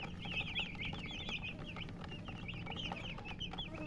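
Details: Chicks of the domestic chicken calling with dense, high-pitched peeps, each a quick falling or rising-falling chirp, many overlapping at a rapid pace, with a low hum beneath.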